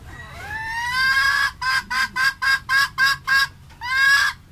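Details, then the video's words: Red junglefowl hen calling: a drawn-out rising nasal note, then seven short, evenly spaced harsh clucks, and a final rising drawn note. "tiếng ga mái rừng mới"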